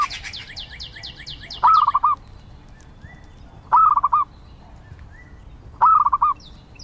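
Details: Zebra dove repeating a brief, rapid trill of soft coos every two seconds, with a quick run of high chirping notes from another bird at the start.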